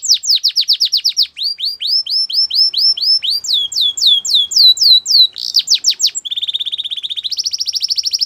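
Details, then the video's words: Belgian canary song in continuous high tours. Quick falling notes repeat several times a second, shift to longer swooping notes, then to a dense rapid rattle-like trill, then a steadier buzzy roll. "Melodies Canary Birds Song | Belgian Canary"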